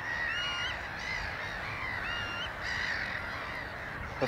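Black-headed gull giving harsh, grating calls, several in quick succession, some rising at the end, over a steady background rush of wind or surf.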